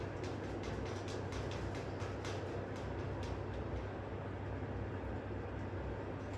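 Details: Steady low rumble of a train or heavy vehicle, with faint rhythmic clatter throughout and no animal voices.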